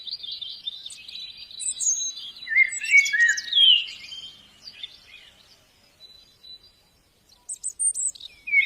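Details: White-eye singing in the wild: rapid, high, thin twittering phrases with quick rising and falling chirps, a dense burst mid-clip, a short pause, then more sharp high notes near the end.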